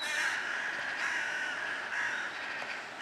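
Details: Crows giving drawn-out harsh caws, two or three long rasping calls over steady outdoor noise.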